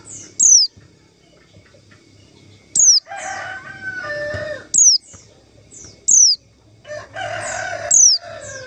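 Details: Calls of a white-eye used as a lure to trap white-eyes: six short, high, falling whistled notes at uneven gaps, mixed with lower, rougher sounds from another source between them.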